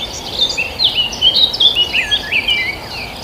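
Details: Countryside birdsong with quick, busy high chirps and twittering notes crowding one another in rapid succession, bright and sharp, above a constant faint hiss.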